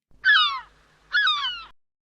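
A gull gives two harsh, nasal calls, each slurring downward and lasting about half a second, with a brief pause between them.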